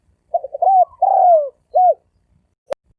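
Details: Low, mellow spotted dove coo in the 'thổ sấm đồng' style, used to lure males, females and wild birds: a single phrase of quick stuttered notes, one long falling coo and a final arched note, then a sharp click.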